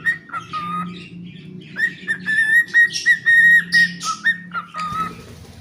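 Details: Cockatiel kept as a pet sings a varied whistled phrase: level whistles, falling slurs and quick repeated notes with a few harsher chirps, over a low continuous hum.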